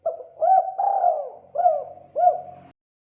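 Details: Spotted dove (terkukur) giving a single call phrase: a short lead-in note, a longer drawn-out coo, then two hooked, bouncing coos at an even mid pitch, with nothing else audible.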